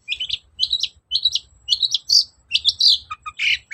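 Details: Long-tailed shrike song used to coax silent birds into answering: repeated sharp, twangy chirps grouped in pairs about every half second, ending in a harsh scratchy note.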